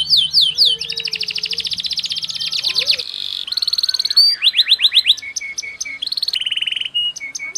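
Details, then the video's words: Canary song in a fast, tightly packed style: rapid repeated high trills and rolling buzzy series, sweeping whistled phrases and quick changes between varied note types, sung continuously with a faint low hum beneath. "MASTERAN KENARI PALING DICARI‼️irama lagu cengkok speed rapat"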